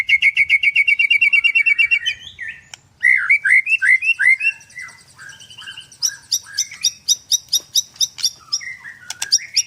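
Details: White-rumped shama in 'nembak' song at a Kendal bird farm, Indonesia: a fast, even rattle of high notes, then bubbling slurred whistles and rapid piercing chip series.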